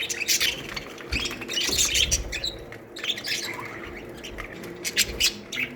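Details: Aviary colony of budgerigars, dense overlapping warbling chatter and sharp chirps, continuous busy twittering with many birds calling at once, bursts of louder squeaks throughout.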